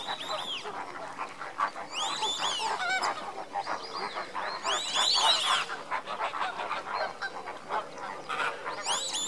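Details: Captive flock of lesser flamingos foraging during enrichment keeps up a steady, overlapping chatter of nasal, goose-like honks, with bursts of high, arching calls rising and falling every second or two.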